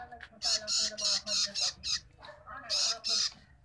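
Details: A young Long-tailed Shrike being fed gives harsh, raspy begging squawks: six quick bursts, a short pause, then two more. Faint low background noise.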